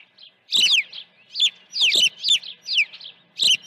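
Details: Osprey at its nest during an early-morning feeding on 1 June 2019, around 8:24: sharp downslurred whistled chirps in short bursts, about seven calls spaced irregularly, with faint clicks and knocks below.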